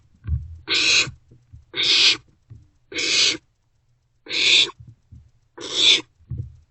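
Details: Owlets of the barn owl sharing food at night in a nest box, 27 March 2024; five drawn-out, breathy, rasping hisses at slightly irregular spacing of about a second, with soft thumps and shuffles in the gaps.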